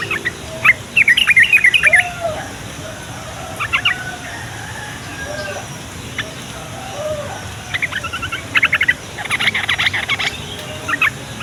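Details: Yellow-vented bulbul singing as lure and training material to prompt young male and female bulbuls to respond; rapid bubbly chattering phrases in bursts, with softer liquid notes between and a few scattered lower calls.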